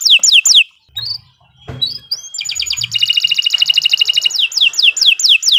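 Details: Canary singing long, lively song meant as a tutor recording for birds: descending swept notes, a short pause with a faint low thump, then a dense rapid trill and more falling sweeps.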